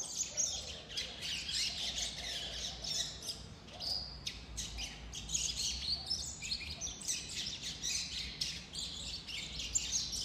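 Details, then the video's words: Young double-collared seedeaters (coleiros) still in brown immature plumage, one of five kept together, give a rambling, high twittering subsong of scratchy chirps and trills with no set phrase, more than one bird at once, their adult song not yet formed. "observa esse canto aqui que o coleiro está dando. Prestem atenção."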